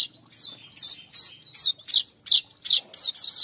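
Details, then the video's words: Weaver birds in a recording used to lure weavers for a flock, giving bright, high chirps in quick bursts, about eight sharp notes over a few seconds with short gaps between them. "Pancing burung Manyar||untuk manyar bahan ombyokan"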